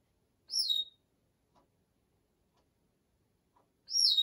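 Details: A 34-year-old female Congo African grey parrot chattering while talking herself to sleep: two loud, high, squeaky whistles, each sliding downward, about three and a half seconds apart, with soft faint clicks between them in a quiet setting.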